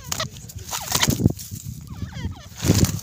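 Grey francolins give harsh, chattering fight calls with quick wavering whistled notes, broken by loud scuffling bursts and low rumbling noise.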